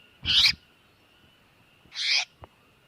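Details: Tiểu mi đất bird distress call for luring birds to traps: two loud, harsh, hissing screeches spaced over a second apart, with a soft click after the second.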